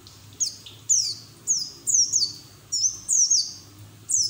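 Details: White-eye with open beak singing as training audio for other white-eyes: high, thin down-slurred whistles, roughly one a second, some doubled, over a soft low hum.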